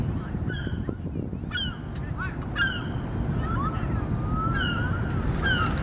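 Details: Western grebes at White Rock Pier, British Columbia, Canada, on 17 October 2015, giving loud, grating whistled notes, often paired and slurred, repeated by several birds every second or so over a steady low rumble of wind and water.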